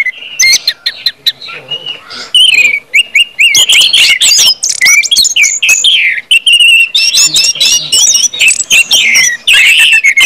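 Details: Orange-headed thrush in sustained 'ngeplong' song, used to stimulate other birds to sing. Scattered whistles at first build into long, dense, tumbling runs of high, looping and chirping notes.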